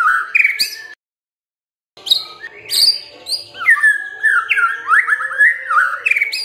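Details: White-rumped shama singing to provoke other birds into song, varied whistled phrases that slur up and down with high ringing accents, broken by a brief silent gap, then a long lively stream of notes.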